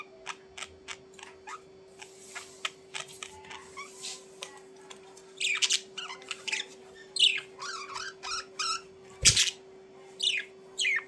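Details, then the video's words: Budgerigars making quick ticking clicks and short high chirps, building into louder buzzy chirps and warbled notes, over a steady low hum. "Budgies Chirping"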